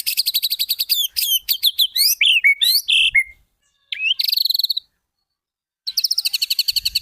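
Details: White-rumped shama master song for training birds to copy: fast rattling trills alternating with sharp, swooping whistled notes and slurred phrases, broken by short silent gaps.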